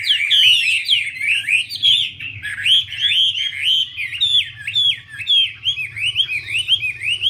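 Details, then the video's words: Hwamei (Garrulax canorus), a female dancing with spread wings to spur the male; a loud, steady string of clear looping whistled notes, about two per second, over a faint low hum. "Họa mi mái múa xòe thúc trống nhanh lên lửa"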